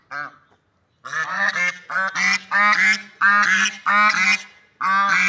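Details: Swans in nature calling: after one short honk, a series of loud nasal trumpeting honks with rich harmonics follows, each about half a second long and coming in rapid bursts.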